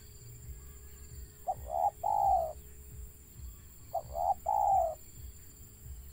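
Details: Wild zebra dove giving a stuttering call: two phrases, each a couple of short clipped notes followed by a longer warbling coo, about two seconds apart, over low rumbling background noise and a steady faint tone.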